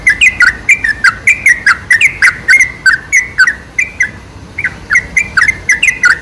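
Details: Sooty-headed bulbul song used to entice wild bulbuls. Continuous lively chatter of clear whistled notes, each slurring down or up, repeated rapidly with only a brief pause midway before the excited phrases continue.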